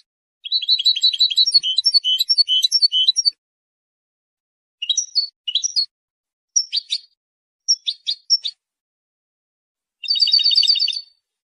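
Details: European goldfinch song for territory and attracting females: a long, tumbling stream of twittering, tinkling notes, then widely spaced short chirp phrases, and a final rapid, ringing trill. No other sounds.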